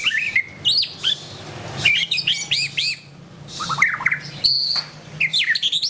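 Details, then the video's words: Murai batu, or white-rumped shama, singing bright upslurred whistles and looping phrases in bursts, with short pauses between groups and a faint low hum underneath. "SUARA BURUNG : Pilih Murai Batu Gacor"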